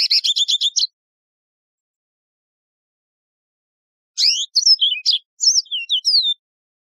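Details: Yellow-fronted canary, a wild canary species, opening with a rapid rattling trill, then after a pause a lively warble of sliding, high whistled notes and chirps; clean, no background.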